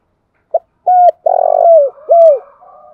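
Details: Spotted dove calling song used as trapping lure: a quick pip, a steady coo, a long vibrating purr sliding downward, then a final drooping coo, with a faint trailing hum.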